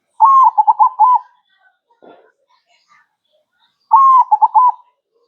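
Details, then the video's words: Perkutut, or zebra dove, singing manggung in a masteran recording: two matching phrases of a long first coo and then a quick burst of short throaty notes, separated by a pause with a brief low rustle. "MASTERAN HANDAL PERKUTUT MANGGUNG GACOR"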